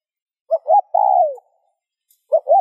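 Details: Coo of a spotted dove, used to prompt other doves to coo: two short quick notes then a long mellow note sliding downward, followed by the start of the next phrase in quiet.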